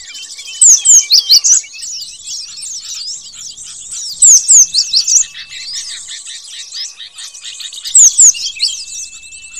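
Cinereous tit calls in loud bursts of sharp, down-slurred notes over a steady high twittering.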